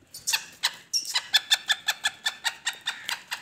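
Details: Kala teetar, the black francolin, giving a brisk series of harsh clipped notes. The notes are evenly spaced at a little under five per second, with a short thin squeak partway through.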